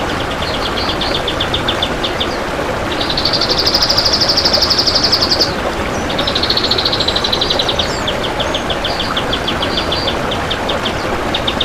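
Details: Master recording of kapas tembak song for teaching other birds, with dense, long phrases: rapid high trills run almost continuously, swelling into a louder buzzy rattle midway, against constant low traffic-like rumble and hiss.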